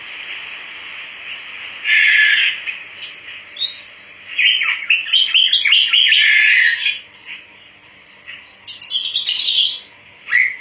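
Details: Java sparrow singing energetically: bursts of chattering, bell-like chirps and rattling clicks separated by quieter pauses, ending with a short high squeak.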